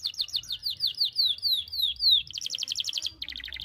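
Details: Young canaries learn from this canary's sharp, sustained song: a run of slurred descending whistles about four per second, then a quick buzzy trill and a lower rattling phrase.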